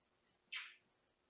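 A Senegal parrot gives one harsh, raspy scream lasting about a third of a second, loud at first and then trailing off, against a quiet room.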